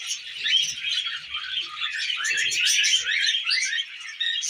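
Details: Tame budgies feeding on millet fill the air with lively overlapping chirps, squeaks and short rising whistles. The chatter grows loudest in the middle seconds.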